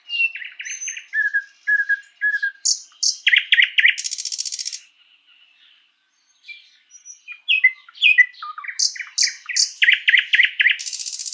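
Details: Thrush nightingale, or sprosser, singing in a spring forest: a varied run of whistled notes and rapid repeated clicking phrases, a loud broadband rattling burst near four seconds, a brief pause, then fast chattering repeats and another harsh rattle at the end.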